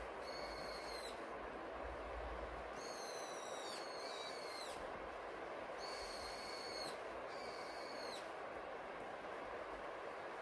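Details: A Eurasian jay in a plum tree in a garden by the Donggang River, Jeongseon, on a foggy winter day, gives five drawn-out, nasal, slightly falling mewing calls, each about a second long, over steady hissing rain.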